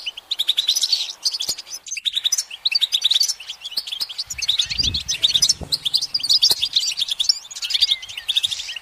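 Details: A goldfinch perched on a branch sings a nearly continuous, fast, jangling twitter of high chirps, buzzy trills and sliding notes, with a dull low bump near the middle.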